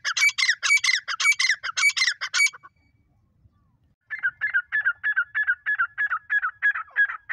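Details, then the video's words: Female grey francolin giving a call of fast, raspy repeated notes, a loud burst, a short silence, then a slightly softer, quicker series of similar clipped notes. "gray Froncolin female teeter Awaz"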